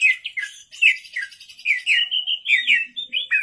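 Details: Oriental magpie-robin in full song at night, a dense chain of quick slurred whistles and chattering notes that repeats in short bursts, with a soft low murmur in the background.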